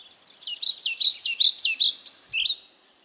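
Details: European pied flycatcher delivering one rhythmic song phrase of about ten high, two-part notes repeated evenly over roughly two seconds, ending in a slurred flourish, against a soft hiss.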